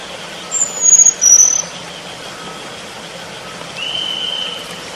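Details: In the wild, a selendang biru bird gives two short, very high, thin whistles in quick succession, the second a little lower, followed by steady hiss.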